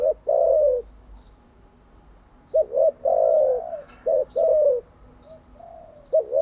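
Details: Spotted dove kept as a decoy bird, cooing for the daily training of newly caught and decoy doves; low, mellow coo phrases, a short note then a longer rolling coo, two loud phrases with fainter softer coos between, quiet background.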